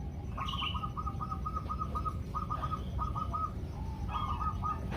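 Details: Female zebra doves calling the male, played as a lure to prompt singing: four bursts of quick, rattling, stuttered notes, each burst a second or less, faint against steady background hiss and rumble.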